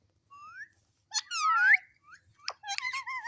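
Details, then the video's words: Pet parrot talking: a soft rising whistled note, then a louder slurred rising phrase, a few clicks, and ending in steady two-tone speech-like sounds. "Mitthu Mitthu Talking Parrot"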